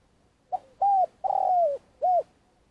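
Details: Spotted dove kept as a trapping decoy, in long calling: one phrase of a brief clipped note, an arched coo, a long slowly falling coo and a final arched coo.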